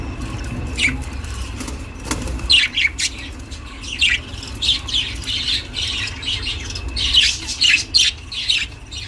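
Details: Pet budgerigar giving chirping sounds, recorded for budgies living alone; scattered short, scratchy chirps and squawks spaced irregularly over a low steady background hum.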